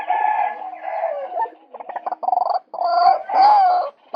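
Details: Male White-breasted waterhen calling, used to lure birds. Loud harsh croaking phrases alternate with bursts of rapid stuttered notes, ending in long, strained calls.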